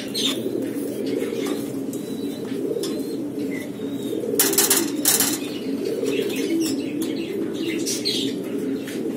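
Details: Several barless blue Lahore (Siraji) fancy pigeons give a steady, low murmuring coo, with a brief clatter of wingbeats midway and a few faint chirps from small birds.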